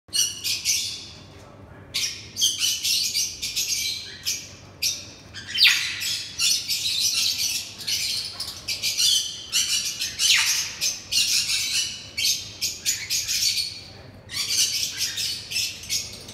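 A sun conure gives harsh, scratchy squawks in rapid bursts while mating.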